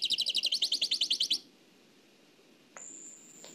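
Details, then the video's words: Nightingale song in the Oued El Alleug style, transferred from an old cassette: a rapid burst of about fifteen pulsed, high buzzy notes over a second and a half, then quiet hiss and a thin, level whistle near the end. "تغريد واد العلايق نقلته عن كاسيت قديم بصحتكم خاوتي معمر روسينيول"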